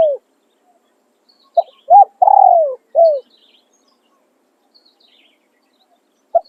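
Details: Calling-style crow of a decoy spotted dove used for luring: a quick note, an arched coo, a long vibrating descending coo and a short falling end note. A lone note follows after a long pause. Faint distant chirping.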